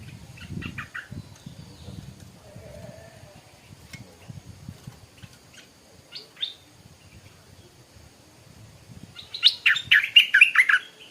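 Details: Stripe-throated bulbul in the morning, mostly quiet at first with a few soft notes and scattered clicks, then a loud, tumbling burst of rapid chattering notes in the last two seconds.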